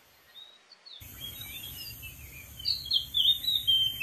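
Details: Oriental magpie-robin singing in the wild from a dead tree: soft thin whistles build into louder, quick slurred notes and trills, with constant high insect buzz behind.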